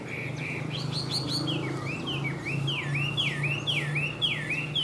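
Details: Caged Chinese hwamei from Vietnam singing: a run of loud, looping whistled notes, each swooping down then up, repeated about four times a second, over a steady low hum.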